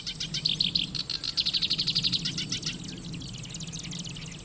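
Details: Black-browed reed warbler singing in grassland at Watarase retarding basin, Japan, where it is incubating eggs near hatching time: fast, chattering run of high, buzzy repeated notes lasting nearly three seconds, then quieter background.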